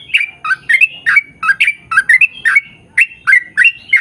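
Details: Energetic sooty-headed bulbul song intended to coax other bulbuls into singing: rapid, bouncy chirps with bubbly downward and upward slides, roughly three notes per second, clean background.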